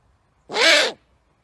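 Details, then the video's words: One rasping, hissy screech from a great horned owl, lasting roughly half a second, swelling and fading smoothly over a soft low background hum. "Great horned owl making sounds"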